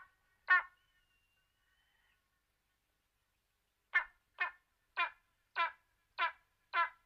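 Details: Spanish imperial eagle in Monfragüe National Park giving a series of short, hoarse barking notes with rich overtones: one bark, a pause of about three seconds, then six barks spaced roughly every 0.6 seconds, in a quiet setting.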